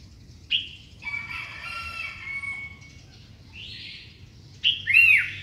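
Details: A Sooty-headed bulbul sings in the morning, giving short, liquid chirps and a bubbly, bouncing phrase near the end, with a thin, steady whistled tone in the middle.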